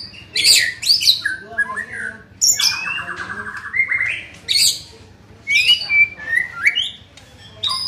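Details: Young white-rumped shama in training, delivering a loud varied song of high sharp notes, buzzy chattered phrases and rich whistled slurs in bursts separated by short pauses, over a faint low hum.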